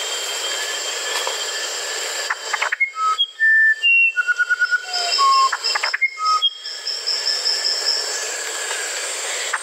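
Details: Musician wren singing one phrase of clear whistles: single tones at different pitches, a fast trilled run and a low falling note. Steady high-pitched insect noise surrounds the phrase.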